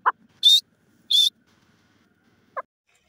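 A francolin gives two loud, harsh, high-pitched notes about half a second apart, framed by a couple of brief, softer lower chirps.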